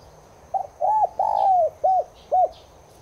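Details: Spotted dove of subspecies tigrina, played to get caged doves cooing along: a quick stuttered double note, two long arched coos with the second drawn out and sagging, then two short arched notes. Faint high chirps behind.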